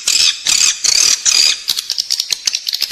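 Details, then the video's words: Edible-nest swiftlet sound used inside a building to bring in the birds: several drawn-out harsh, high squeals, then a series of short, rapid clicking chirps. "เสียงเรียกนกแอ่นกินรัง ((ด้านในตัวตึก))"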